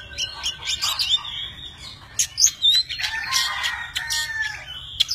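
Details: Oriental magpie-robin, a tame bird, singing and displaying with spread wings and fanned tail. Short bright whistles and sharp high notes are followed by a fuller, descending warbled phrase.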